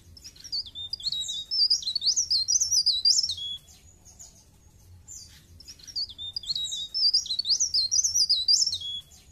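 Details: Bar-winged prinia, locally called blerengan, singing high, thin, rapid twittering phrases that rise and fall in quick bursts about three seconds long, given twice with a quiet pause between, over a faint low hum.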